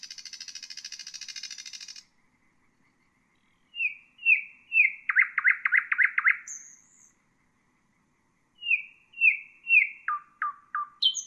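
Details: Nightingale song played for training bulbuls: a two-second buzzy rattle, a pause, then falling chirps leading into a fast stuttering run, a high whistle, more chirps and dropping notes.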